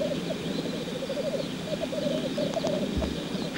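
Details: Lek display of male black grouse. Dense rolling bubbling runs in wavy phrases, with a few short clicks and a brief low thump near the end.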